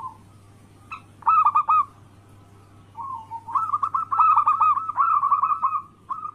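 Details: Local zebra dove song used as a daily lure to make rival doves call at once: bursts of rapid, evenly repeated mellow cooing notes, a short pause, then a longer run, over a steady low hum.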